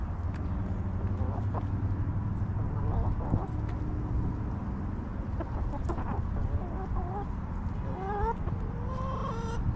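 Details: Backyard hens in a homestead coop, relaxing and eating, give short rising clucks and drawn-out harmonic calls near the end, over a steady low rumble of background noise.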